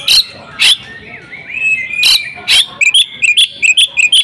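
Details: Home-kept female oriental magpie-robin: a few loud harsh bursts, then a soft gliding whistle, then a run of short clear whistled phrases repeated in quick succession.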